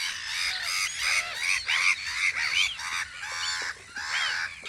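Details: Gulls at their guard post on Audru polder in spring, a dense chorus of overlapping nasal, arched cries rising and falling about once a second, several birds calling at once over a faint low rumble.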